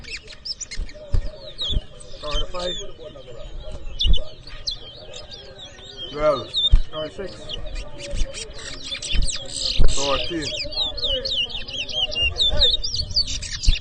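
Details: Towa towa, or chestnut-bellied seed finch, heard during a 2023 whistling competition at a bird ground in Edinburgh Village, Guyana. Bursts of quick, sweet, warbling whistles rise and fall over steady male chatter, bumps and background commotion.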